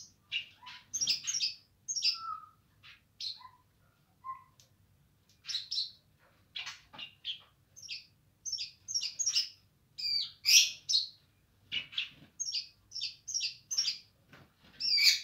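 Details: Streaked spiderhunter singing energetically, described as gacor nganar: irregular volleys of high, sharp chirps, a few lower whistled notes, then dense repeated bursts toward the end over a low steady hum.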